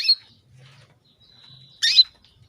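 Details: Female canary calling a male to bring him into breeding readiness; a long thin steady whistle ending in one loud harsh chirp, a faint low hum beneath.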